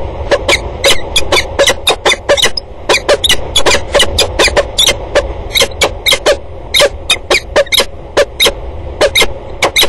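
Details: Peregrine falcons at the water tower in Axel on 2 October 2019, in a long exchange of calls: harsh, clipped, scratchy notes repeated rapidly in irregular bursts, several per second, under a low background rumble.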